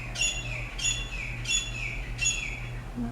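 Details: Tropical birds on Maui in the early morning: four harsh, squawky calls with bright upper overtones, repeated roughly every 0.7 seconds over a steady low hum.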